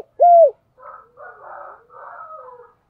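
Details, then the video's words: Spotted dove used as a decoy caller: one loud clear arched coo note, then three softer, rougher cooing phrases following in quick succession. "Chim cu gáy gọi // tiếng chim cu gáy mồi chuẩn cực hay vang một vùng"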